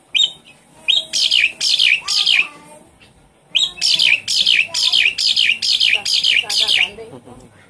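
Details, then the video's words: Caged Javan pied starling singing to coax a stressed, silent bird into song; loud harsh grating notes repeated about twice a second in two long series, separated by a short pause, over a faint hum. "Suara pancingan burung jalak suren macet bunyi"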